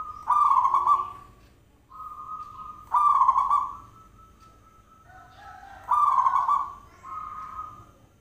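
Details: Zebra dove cooing, played as a sound lure meant to make the bird answer: loud rolling coos with a harsh buzzy edge, joined by softer steady whistled tones, in roughly three bursts about three seconds apart.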